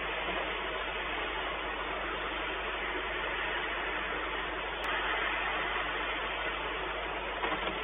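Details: Steady broadband roar like a running engine or vehicle fills the whole recording, with no animal voice audible.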